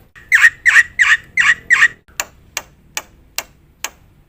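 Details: Black-winged myna with filler phrases: five harsh squawky notes in a row, then five sharp dry ticks spaced about half a second apart.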